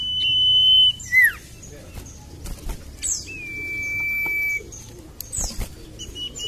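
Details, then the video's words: Common iora song used as a lure to prompt lazy, silent irora birds to sing: long, steady pure whistles held for about one to one and a half seconds, broken by quick downward-slurred notes, with faint low background rumble. "PANCINGAN BURUNG SIRTU / CIPOH MALAS BUNYI"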